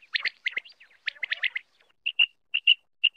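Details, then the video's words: A common quail (batair) gives a burst of quick, chirping twitters, then clear, high single notes repeated about twice a second, with no other sounds heard. "Quail sound"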